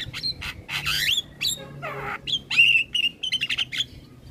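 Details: Asian pied starling song from a master recording to get starlings singing: rough squawks and a descending rasp give way to a clear bright whistle and quick chattering notes, over a low hum.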